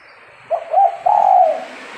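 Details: Lure spotted dove for trapping doves gives a single cooing phrase: two short notes followed by a longer, steady, mellow coo, over light background hiss.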